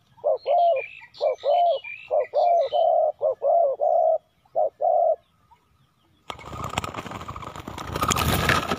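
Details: Decoy Spotted Dove cooing to lure wild doves during trapping: a run of mellow, hollow coos in uneven groups for five seconds, then silence and a burst of loud rustling noise.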